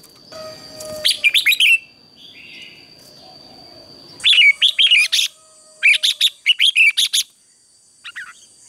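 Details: Red-whiskered bulbul singing in the morning in a competition-style training song, bursts of loud, rapid, warbled whistled notes in quick phrases, with pauses between bursts and a steady faint tone in the background.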